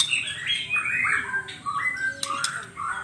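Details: White-rumped shama (murai batu) in gacor, full vigorous song, from 2021: a quick run of slurred whistles sliding between mid and high pitch, then sharp high clicks, over a low steady hum.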